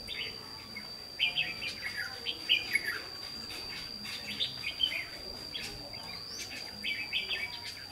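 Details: Red-whiskered bulbul at a fighting trap on 28 May 2016, singing in short bursts of bright, chattering warbled phrases with pauses between them. A steady thin high whine runs underneath throughout, with faint outdoor background.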